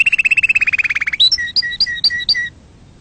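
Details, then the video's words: Canary singing, offered to tutor young birds and prompt mating: a rapid rolling trill slowly dropping in pitch, followed by five sharp two-tone chips, each a high note over a lower one, then quiet. "تغريد كناري أصلي لتعليم الفراخ وللتزاوج وتهييج طيورك"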